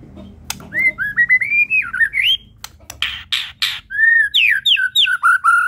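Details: White-rumped shama of the Medan type singing a full isian song: varied whistled phrases sliding up and down, broken by sharp clicks and buzzy bursts, then a fast run of looping whistles.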